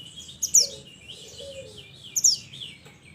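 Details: Mountain mantenan bird calling its companions: two piercing high whistles dropping in pitch, about one and a half seconds apart, followed by softer trailing twitters.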